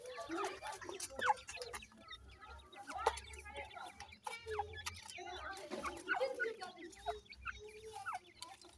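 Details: Several captive grey francolin chicks in a breeding enclosure make constant overlapping cheeps and short rising chirps. Frequent clicks and rustling are mixed in, with low hum underneath.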